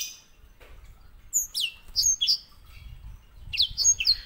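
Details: Grey singing finch, or white-rumped seedeater, kept as a master song model for canaries. It gives a few scattered high whistled notes that slur down and up, with a soft low rumble underneath.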